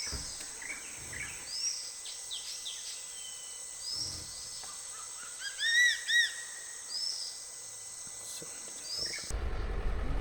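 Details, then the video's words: On 4 October 2025 in Kali Tiger Reserve, Dandeli, India, a crested serpent eagle perched on a tall tree calls, possibly for its mate. Its loud, ringing, rising-then-falling whistled notes sound over a high insect drone and small chirps from other birds. "A crested serpent eagle perched on a tall tree was calling possibly for its mate."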